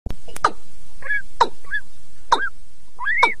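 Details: Male and female rails calling together, played through a loudspeaker as a lure in 2022; sharp clicking knocks alternate with short rising whistled notes, about one pair each second, loud and close.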